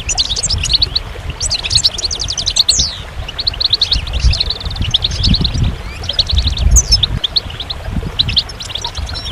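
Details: Goldfinch song in quick twittering bursts, with trills, a downslurred note and scattered chirps between short pauses, over a low rumbling background.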